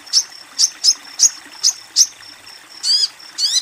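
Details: Female sogon calling a male: short, sharp, high chips repeat about three times a second over a thin steady whistle, ending with two buzzier, rasping notes.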